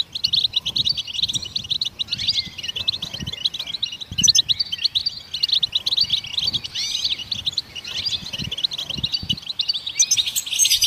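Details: Goldfinches chirp to stimulate songbirds: busy, bright twittering with many quick upslurred and downslurred notes, continuous for the whole stretch, with faint low thuds underneath.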